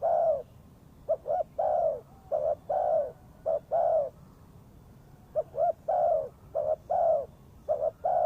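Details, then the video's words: Spotted dove used as a trapping lure, cooing steadily: pairs of clipped short coos leading into a drawn-out, downward-curving coo, the phrase repeated over and over with brief pauses between. "The Sound Of Spotted Dove is good"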